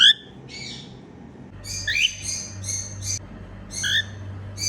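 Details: Happy sounds from a female cockatiel: a mix of short rising whistles and harsh buzzy chattering bursts, loosely repeated, over a steady low hum.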